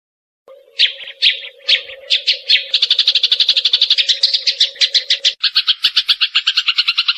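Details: Eurasian tree sparrow song for tutoring songbirds: a few separate harsh chirps build into a rapid rattling series of chirps, then a dense stream of fast repeated chirps, over a faint steady hum at first.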